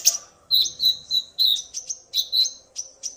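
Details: Male common iora, stirred to sing by a female's call: sharp, high chirped notes repeated in a quick, even rhythm roughly three times a second, with a faint low hum behind.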